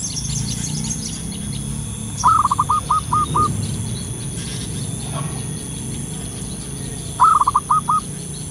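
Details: Wild local zebra dove calling twice, several seconds apart. Each bout opens with a rolling trill and ends in a few spaced staccato coos. A low rural background rumble and faint high tones run behind it.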